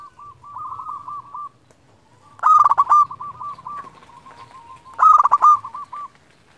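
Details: Zebra dove, a local bird singing often, calling to rivals as a lure and for training quiet doves: wavering trilled coos at one low pitch, with two loud choppy bursts about two and a half seconds apart.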